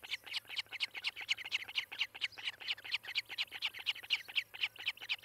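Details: Rapid chirping from an osprey at its nest in Charlo, Montana, by nest camera, morning of 18 July 2018: high, piercing whistled notes repeated about twice a second with slight unevenness, faint low hum beneath.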